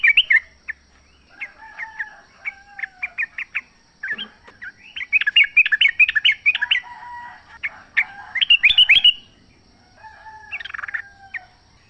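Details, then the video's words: Sooty-headed bulbul recorded in the wild: lively, uneven chatter of clipped whistled notes in several bursts, with brief quieter spells and a faint lower whistle beneath. "trucuk gacor ngalas full suara alam"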